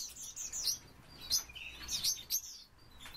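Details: Three old captive Bohemian waxwings, kept for eight years and said to sing on sunny days, give thin, high, silvery trills and sibilant chirps in short bursts, several overlapping, with a faint background hum.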